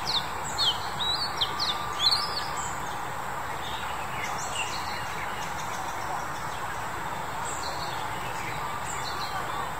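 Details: A male Oriental Magpie-robin, recorded in March 2021, sings quick, varied high whistles and sweeping notes in short bursts, most in the first two seconds, over a steady rushing background hum.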